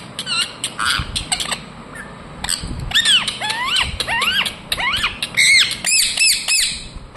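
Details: Indian ringneck parakeet giving irregular chirps and squeaky notes, many with sharply falling or rising sweeps, in uneven bursts throughout, with faint background rustle.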